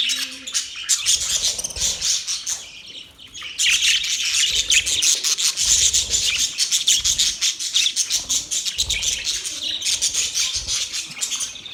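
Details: Happy budgerigars in full chatter: rapid, scratchy, rasping chirps packed tightly together, nearly nonstop for the whole stretch after a brief quieter start.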